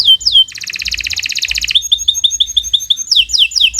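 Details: Canary singing long continuous 'gacor' song for a training recording: a falling whistle, then a fast buzzy rattling trill, a chain of short chirps, and bright downslurred notes at the end.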